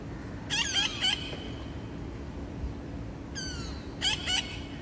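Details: A small group of parrots, a scout calling and three more joining, heard on an August afternoon: triplets of grating squawks, a long descending slurred cry between them, then two more squawks, with a low hum throughout.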